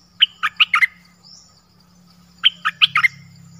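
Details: Two brief Dok Taeng bird phrases, each of four or five sharp, ringing chirps, about two seconds apart, over a low steady hum.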